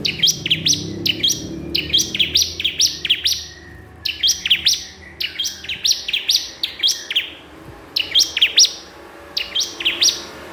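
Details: A bar-winged prinia calls persistently at a rival, giving a long run of rapid, high, snapping chirps in groups of three or four, over low background rumble.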